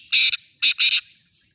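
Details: Full call of a black francolin held for sale: three loud, harsh, rasping notes, one long burst then a quick pair, the third stretched out, against a quiet background.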